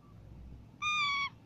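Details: Natural parrot voice: one level, strongly harmonic, nasal call of almost half a second, preceded by a faint thin note, over low background hiss.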